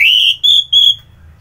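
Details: Orange-headed thrush in full song, recorded in Kubutambahan, Singaraja, Bali, in the morning: three loud clear whistled notes, the first sliding slightly upward, the next two steadier and higher, then quiet.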